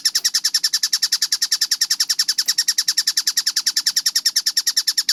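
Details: Kingfisher called tengkek buto, recorded clearly for training at fast speed: quick, sharp, high notes in an even, continuous rattle, with two faint clicks in the background.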